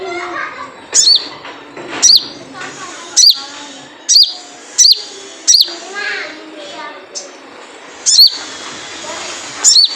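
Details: Wild sunbird giving its typical 'jrejet cuit' call, used as a lure to get other sunbirds singing: sharp, very high down-slurred chirps repeated about once a second, with faint voices talking underneath.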